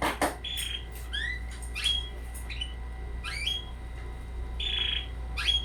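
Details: Short sharp chirps and quick upward-sweeping notes from a red canary chick twenty days old, in scattered bursts over a constant low hum.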